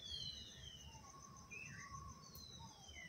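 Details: Audubon's oriole giving clear, thin whistled notes: long downward-sliding high tones, a short rising-falling phrase in the middle and low steady whistles, over a constant insect drone and faint low rumble.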